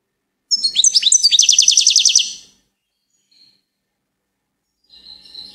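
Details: One lively goldfinch phrase of clipped rising chirps speeding into a fast tinkling trill, followed by quiet and a faint, softer twitter near the end.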